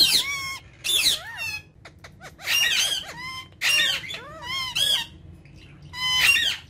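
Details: Trio of pet ringneck parrots calling in loud, rich harmonic squawks and wavering notes, in bursts separated by short gaps and faint clicks.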